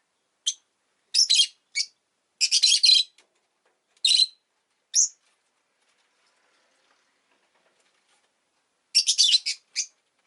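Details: Two rosy-faced lovebirds bunched at an entrance chatter in clusters of shrill, scratchy chirps, then pause for several seconds before a final rapid burst.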